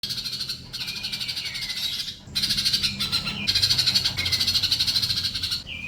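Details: Sunbird song used as a training recording to make silent birds reply: bursts of very high, rapid buzzy trills, some over a second long, separated by short gaps and thin descending whistled slides.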